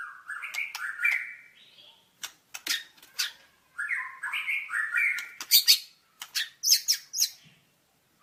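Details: White-rumped shama delivering varied song: stepped, fluty whistled phrases mixed with sharp clicks, pauses between bursts, and high, thin slurred notes toward the end.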